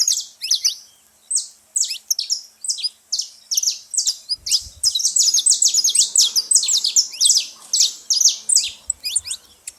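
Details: Loud chatter of saffron finches at a seed feeding spot: spaced high chirps build into a rapid, overlapping volley of sharp tweets. Faint low knocks can be heard in the background.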